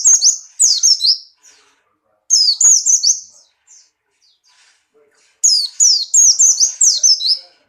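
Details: Breeding-condition Buxtoni white-eye leaping about while singing: three bright bursts of rapid, high, downward-sweeping notes, three to six per burst, broken by brief silences.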